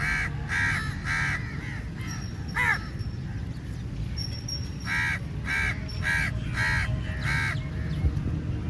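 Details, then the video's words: Many crows attacking food at feeding time, calling very loudly; repeated harsh caws in two bursts, about four then six calls, with a steady low rumble throughout. "Crow Sounds Very Loudly"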